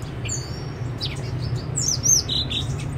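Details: Blue-winged laughingthrush (Trochalopteron squamatum) giving quick high chirps and thin slurred whistles, one loud down-up whistle near the end, over a steady low hum.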